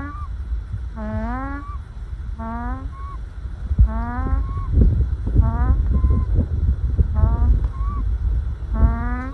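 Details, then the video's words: Resting ducklings piled together in sun and shade murmur contentedly. Rising, slurred calls come in quick runs of three to five notes, repeated every second or two, over low rumbling background noise and faint knocks. "the noise a happy calm duckling makes"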